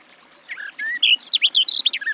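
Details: Garden warbler (Sylvia borin) song: a short phrase of clear warbled notes building into a rapid run of bright, loud, varied chirps.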